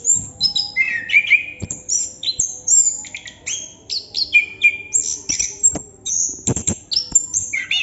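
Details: Chestnut-capped thrush singing in the non-stop ngerol style: a fast, unbroken run of high whistles, sharp chips and buzzy slurred notes, mostly very high-pitched, with short rising and falling phrases packed closely together.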